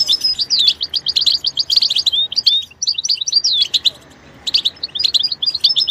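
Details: Goldfinch giving tinkling, rapid chirps and sweeping slurred notes, a short silent gap, then another twittering burst.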